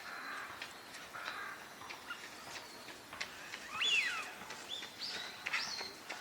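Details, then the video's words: Eurasian wigeon among ducks including northern pintail on a park pond at Junsai-ike Ryokuchi, Chiba, Japan, December 2025; a clear whistled note sliding downward stands out near the middle, over steady background noise and faint chatter of other birds. "ヒドリガモ鳴き声 (Mareca penelope) 他 - カモの鳴き声 / Eurasian wigeon sounds"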